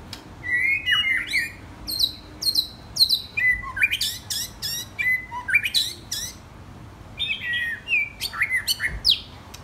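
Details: Young white-rumped shama, 10 or 12 months old, singing varied phrases of clear whistles, sharp high notes and slurred descending notes, in bursts separated by short pauses, with faint background noise.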